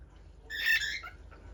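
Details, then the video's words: A common bulbul (pepper bird) singing in a new spot gives one brief, bright chattering phrase of about half a second, mid-high in pitch, over a faint low background hum. "Pepper Bird singing"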